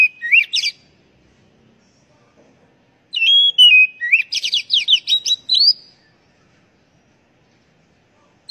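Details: Oriental magpie-robin singing, used as a lure to get caged birds singing: a short whistled phrase, a pause, then a longer run of clear slurred whistles and rapid scratchy trills, all high-pitched.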